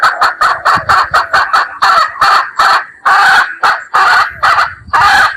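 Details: Wild red junglefowl hen calling, used as a decoy to lure birds in: a rapid run of short, harsh, clucking notes, about a dozen in quick succession, loud and close, with brief gaps between bursts.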